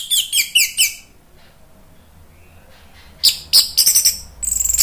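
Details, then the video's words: Orange-headed thrush bait song for stimulating birds: a rapid series of about six bouncing, downslurred high notes, a quiet gap, then a busy cluster of sharp squeaky calls and a fast buzzy rattle. "SUARA ANIS MERAH bikin ikutan NYAUT NGEPLONG GACOR ¦ PANCINGAN AM ¦ TERAPI MACET"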